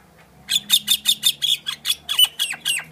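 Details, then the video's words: A myna sings a rapid run of about twelve harsh, chattering notes, five or so each second, with a few rising whistled slurs near the end. "myna bird song / myna bird sound /mynah bird singing"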